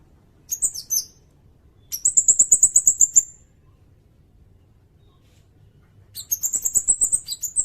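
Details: Sirindet song for training songbirds and for luring: a brief high squeaky chirp, then two fast buzzy trills of rapid pulses about a second long, separated by a few seconds of near silence.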